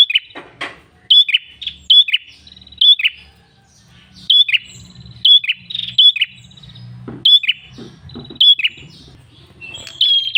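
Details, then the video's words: Ashy tailorbird (red-headed prenjak) in active full song, loud sharp chipping notes around a steady high pitch repeated in quick bursts with short pauses over a faint low rumble; recording used as a lure and tutor to get birds calling. "PRENJAK KEPALA MERAH GACOR SUARA NGALUN"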